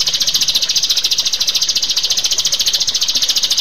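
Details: Rio-rio bird in a recording meant to train caged birds: a continuous shrill rattling trill of rapid, regular high pulses, about fourteen per second, with no break.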